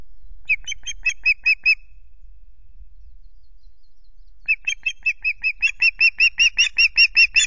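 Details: Nesting osprey with chicks at Loch Garten on 5 July, nest camera, as the male brings two fish: clipped whistled chirps in two bursts, a short run then a longer, steadily louder series of about fifteen notes after a pause.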